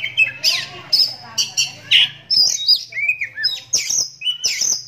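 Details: Captive oriental magpie-robin, blind in its right eye since young from a cataract and raised by hand, singing loud, varied whistled phrases: rich sweeps and trills in quick succession, with a low steady hum beneath.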